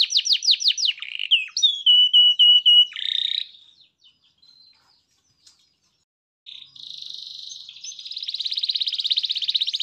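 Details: Canary song in the 'gacor cengkok mewah' style: quick downslurred whistles and level whistled notes, a buzzy phrase, about three seconds of near silence, then a long fast rattling trill.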